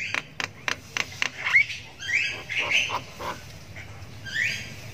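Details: Javan myna chick (jalak kebo sultan) doing long 'ngriwik' chirping while learning to vocalize: a run of sharp clicks, then harsh buzzy rasping notes, each under a second, with a faint low hum behind.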